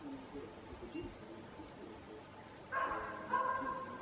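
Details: Eurasian bullfinch giving soft, low whistled notes with faint harmonics in the second half, two short piping calls after a quiet start. A faint background hiss and a few distant chirps are also present.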